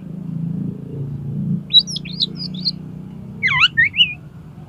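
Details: Oriental magpie-robin performing 'konslet' song to stir another magpie-robin into opening its tail: a row of short, high, curling whistles, then a dense zigzag flourish of descending and rising notes over a steady low rumble.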